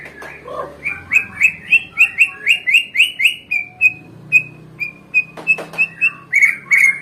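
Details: White-rumped shama song to provoke rival birds: a quick run of rising whistled notes, then evenly spaced sharp high whistles, with a low hum underneath and a busier twittering burst near the end.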